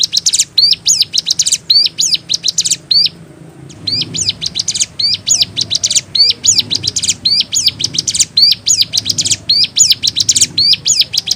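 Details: Vigorous hill prinia (ciblek gunung) song with unique variations: long series of piercing, rapidly stuttered high chirps in repeated clusters, one brief silence early on, faint low hum beneath.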